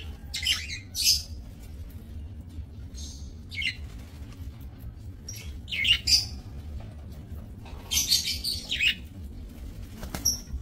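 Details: Captive budgerigars in a small breeding aviary, 28 November 2024, give bursts of high, scratchy chirps and warbling chatter in irregular clusters, with a low background hum throughout.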